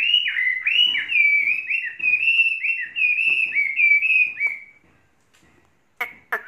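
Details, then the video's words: Tame caged Chinese hwamei, kept three seasons, singing a fast run of loud, clear whistled phrases, each note sliding up then down, repeated about four times a second for four seconds, then a pause and two sharp bursts. "Hoa mi hót cực hay"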